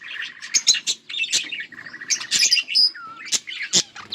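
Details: Two budgies, kept as a pair, keep up busy chirping: rapid squeaky notes, short rising whistles and scratchy buzzes tumbling over each other, with a few louder clicking chirps standing out.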